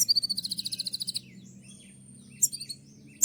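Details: Kolibri ninja sunbird in a training recording: a fast, even trill of about a dozen bright high notes lasting just over a second, then pauses and sharp explosive chips, over a low hum.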